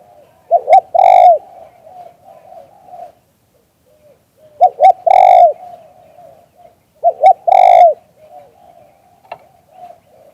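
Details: Spotted dove singing the 'liu tan' style of cooing, recorded live: three phrases roughly every three seconds, each two short clipped coos then a long, loud, downward-bending coo, with soft low murmurs between.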